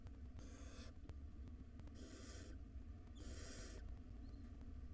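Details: Hungry barn owl chicks, five wild nestlings in a monitored box, make three harsh hissing screeches about a second apart while waiting for dinner, with low hum and scattered clicks throughout.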